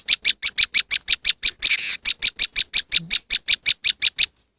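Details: Harsh, scratchy high notes from a moss wren, used as a lure, come in a fast even run of about five per second. One broader, noisier burst interrupts the run midway.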